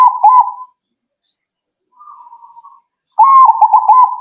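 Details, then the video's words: Zebra dove answering right away: clean coos near one pitch, a wavering rolled phrase, a soft low murmur, then another bright rolling coo series after a pause, in a quiet room. "Burung Perkutut Kalian Langsung Nyaut..!!!"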